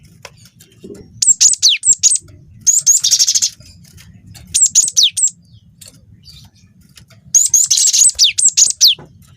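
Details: Juvenile cinereous tit of the wingko variety, recorded as lure sound to make other birds sing. Four clusters of rapid, piercing high notes and falling sweeps, one cluster including a buzzy trill, separated by pauses, with a low background hum.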